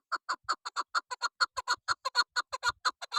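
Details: Female chukar partridge (chakor, keklik) giving a rapid run of harsh, clucking chuk notes, about six to seven a second, fairly even in loudness and spacing, with no other clear sounds.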